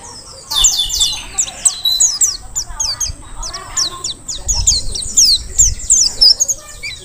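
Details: Forest-caught Mountain white-eye from Merapi, Dakun type, sings hard: repeated high, thin slurred chirps and quick twitters over a low background rumble and faint murmuring.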